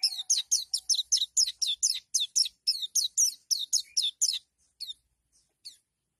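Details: Oriental white-eye giving its aggressive 'nembak' song, said to make a rival white-eye back down: a fast series of high, sharp, buzzy descending chirps about twice a second for four seconds, then a few scattered notes.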